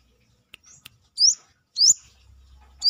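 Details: Outside its cage, a Brown-throated sunbird gives a few sharp, high, rising whistles spaced about half a second apart, with soft clicks before them.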